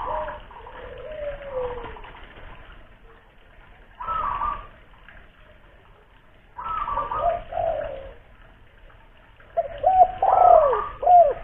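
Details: Spotted dove lure bird, local stock from Kuningan, West Java: separate bursts of coo notes with silent gaps between, ending in a louder series of bent, looping coos.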